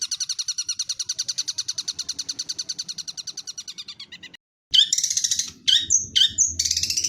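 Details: Long-tailed shrike singing energetically: a long run of rapid, evenly repeated high chirping notes for about four seconds, a brief pause, then louder scratchy, varied bursts of high notes.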